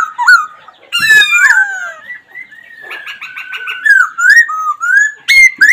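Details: Whistled laughingthrush phrases: a descending slur, a buzzy run of rapid pulses, then smooth rising and falling whistles ending in loud sharp notes.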